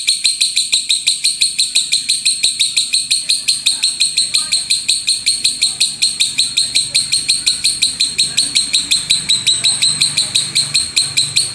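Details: Loud 'gemuruh tembakan' singing from a lovebird, a training master for other birds; shrill, rapid chirps repeat close to three per second for over eleven seconds over a faint low background murmur.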